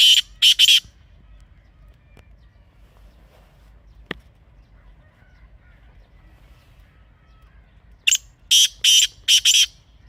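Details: Black francolin (kala teetar) recorded in natural surroundings in Pakistan: a grating multi-note phrase opens, a long near-silent gap with a single click follows, then the harsh rhythmic phrase repeats twice more.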